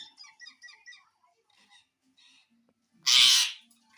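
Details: Pet talking parrot heard asking for roti; soft chattering notes in the first second, then quiet, then one loud harsh broadband squawk lasting about half a second near the end.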